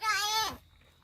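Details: Crow from Palghar that mimics human speech gives a single loud, strained, voice-like note lasting half a second, level and then sliding down, followed by near silence.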